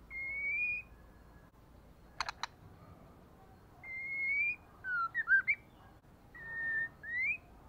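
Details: Provoking call of a female white-rumped shama used to rouse males into fighting: long rising whistled notes alternating with a quick cluster of dry ticks and a short twisting whistle, over faint steady hiss.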